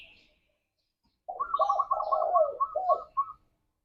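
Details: Pet spotted dove cooing in a drawn-out, mellow phrase, overlapped by a fast, higher-pitched series of repeated notes from another caller.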